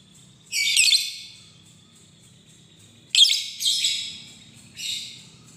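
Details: Lovebird lure sound to call a rival: a loud, rough screech, a two-second pause, then three more harsh, buzzy squawks in quick succession.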